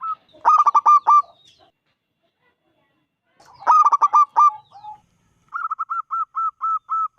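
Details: Zebra dove of local wild stock, five years old, singing loudly to draw other doves into song: two fast bursts of five or six coos, then a string of about seven even, clipped notes.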